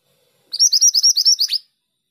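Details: Female Oriental magpie-robin singing actively: a quick burst of about eight bright, high chirps in one second, ending in a falling slur, against a silent background.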